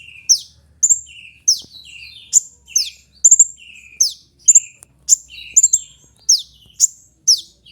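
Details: Sunbird known locally as kolibri ninja, recorded for use in bird training as a lure or tutor sound. Sharp, high downslurred notes alternate with lower buzzy slurs, repeated every half second or so in a lively, irregular series.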